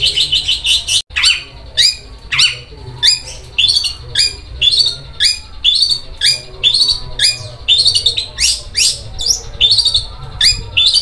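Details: Very rough, sewing-machine-like singing from a long-tailed shrike: scratchy, grating notes about two a second, each with a short dropping stroke, with one abrupt silent break near the start.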